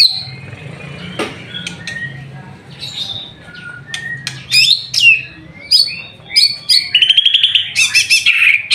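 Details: White-rumped shama singing in full voice during an afternoon bath; scattered sharp whistles and brief notes, then a rapid ringing, trilled burst near the end, with clicks and splashes between.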